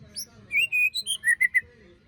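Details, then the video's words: A short white-rumped shama phrase, from a lure for birds that stopped singing after moult: a few sustained, pure whistles that step downward, then three quick clipped notes. "Pancingan murai batu macet bunyi paska mabung terbaru besetannya bikin ngilu!!"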